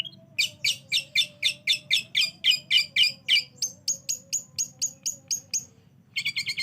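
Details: Long-tailed shrike (cendet) lure sound, played to make a bird that is reluctant to sing respond. Rapid harsh, raspy notes repeat about four per second, then switch to thinner high sharp notes. A steady low hum runs underneath.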